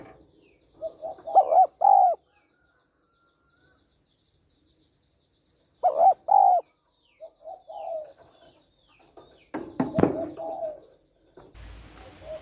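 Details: Female spotted dove calling to excite a male: soft rolling coos followed by two loud arched coos, repeated twice, with a short burst of handling noise and hiss near the end.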